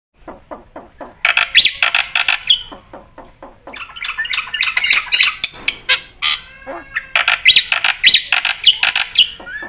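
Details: Black-winged myna (jalak putih) in vigorous full song with fill-ins, used as a tutor and lure recording. Low clicking notes open, then dense bursts of harsh, chattering high notes alternate with quieter rasping phrases.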